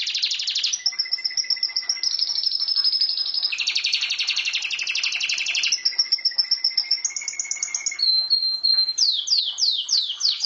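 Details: Caged pet canary singing a long varied song: fast trills at shifting pitches, a held low whistle, a buzzy rattling passage, and closing with a series of sharp downward-sweeping notes.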